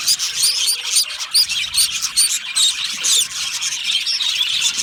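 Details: Budgerigars, said to be lonely and calling out in contact or distress; crisp high chirps repeated in a loose series of about a dozen, then blending into busy chatter.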